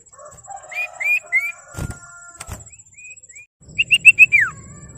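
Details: Common iora singing to call rivals and trigger other ioras to respond. Upswept whistles and a faint steady tone, then a brisk run of four clear notes finishing with a long falling whistle.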